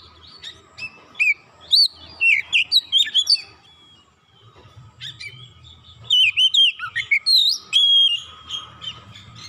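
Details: Oriental magpie-robin song, used to provoke other birds into singing: two bursts of loud, varied whistled phrases with sharp rising and falling notes and quick chips, separated by a pause of about two seconds, with a quiet background.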